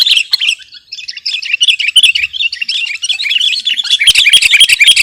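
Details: Sooty-headed bulbul, recorded for luring and masteran use, pours out a continuous, rapid, tumbling warble of chattering notes that grows louder and harsher toward the end.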